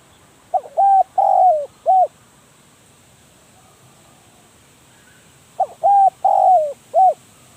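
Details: Decoy spotted dove calling from a trapping cage: two identical phrases of soft hollow coos about five seconds apart, each ending in a drawn-out downslurred note and a short closing hoot, with quiet background.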